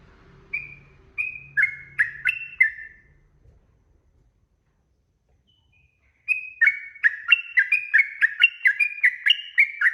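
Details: Yellow-vented bulbul lure song for drawing answers from other birds: a few spaced chirps accelerating into a rapid run, a silent gap, then a longer fast burst of slurred, bouncing whistled notes; faint low hum early on.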